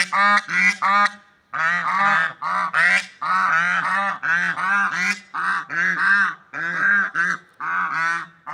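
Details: Swans in the wild giving continuous nasal, trumpet-like honks, often paired or in quick triplets, with brief gaps. The calling is steady and loud throughout.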